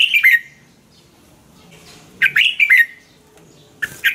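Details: Caged-bird training song of the Red-whiskered bulbul, Thailand: brief, liquid, slurred whistled phrases of two or three notes, separated by quiet pauses of about two seconds.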